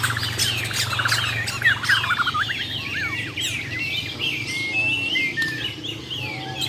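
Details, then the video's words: Competing Bornean white-rumped shamas from Muara Wahau, a dense mix of sweeping whistles, slurred notes and rapid chips from several birds at once over a low steady hum. "AKSI BURUNG - BURUNG JUARA MURAI BATU BORNEO "MUARA WAHAU" || FULL ISAIN BESETAN DAN TEMBAKAN"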